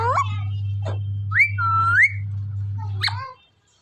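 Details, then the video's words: Indian parrot from Punjab calling: a short upswept note, then clear whistled phrases that rise, level off and rise again, ending with a harsh squawk, over a constant low hum that stops near the end. "parrot Ki awaz//Tote Ki awaaz"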